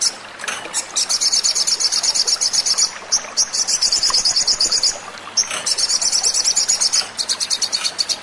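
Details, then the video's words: Lure recording of little spiderhunter (sogon) song meant to make birds start singing: long runs of quick, piercing high notes, split by short silences, with a soft hissing background. "pancingan sogon agar cepat bunyi"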